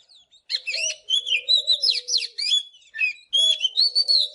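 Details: Morning song of an Oriental magpie-robin, a dense run of sweet whistles, trills and sharp slurred notes in quick bursts, breaking briefly near the middle before resuming, over a constant low hum.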